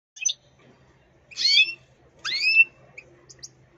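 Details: European goldfinch, a kept bird described as angry, giving short, bright, buzzy call notes in three separated bursts, the middle two longer and harsher, with a faint low hum underneath.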